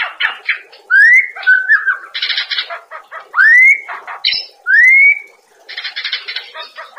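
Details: White-rumped shama (Copsychus malabaricus), song.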